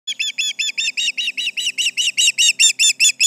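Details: Osprey at the Charlo nest giving alarm calls over intruders, July 29, 2019, 11:30am MDT: a steady run of sharp, high whistled chirps, about two and a half per second, growing louder toward the end.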